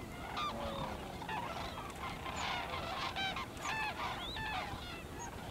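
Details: Dense chorus from a flock of White-naped cranes at Junam Reservoir, South Korea, feeding in the fields and flying overhead. Numerous bright, trumpeting, rising and falling calls overlap continuously against a steady hiss.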